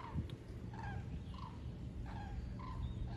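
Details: Common cranes migrating south in large numbers over the Wetterau, Hesse, seen from Bad Nauheim on 22 October 2022; several distinct rolling trumpeting calls, roughly one every half second, over a steady low rumble.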